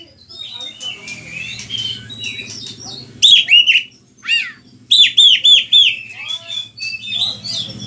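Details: Oriental magpie-robin song sung as a lure for other kacer: mixed chatter, then bursts of loud repeated downslurred whistles separated by brief pauses, ending with softer varied notes.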